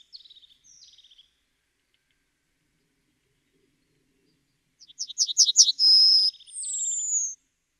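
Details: Yellowhammer song: faint trailing buzzy notes at first, a pause, then a quick run of repeated sharp chirps ending in a long held tone and a higher, slightly falling drawn-out note.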